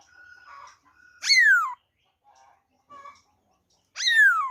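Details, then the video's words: Black-throated laughingthrush giving wild-type song, recorded 26 December 2020: quiet steady whistles and soft twitters broken by two loud, strongly descending harmonic-rich slurred notes about three seconds apart. "khướu bạc má hót giọng rừng"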